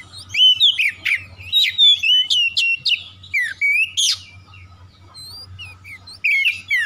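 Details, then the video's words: Oriental magpie-robin song used as a lure to get silent magpie-robins singing: fast, varied whistled phrases with rising and falling slurs and sharp chips in quick bursts, a short quieter pause near the end, over a steady low hum. "PANCINGAN TERCEPAT KACER MACET BUNYI LANGSUNG GACOR"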